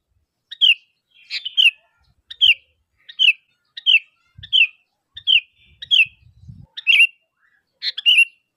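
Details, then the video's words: Sooty-headed bulbul lure calling for other bulbuls to answer; a series of about ten short, clear chirped phrases, spaced under a second apart, fairly even in rhythm. "Suara Asli Kutilang Gacor Memanggil, Kutilang Pasti Nyaut"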